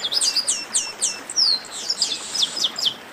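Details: Chestnut-capped blackbird singing an esquenta, a warm-up song: a fast run of high, clear down-slurred whistles, about four per second, with one longer sweeping note midway and denser notes toward the end.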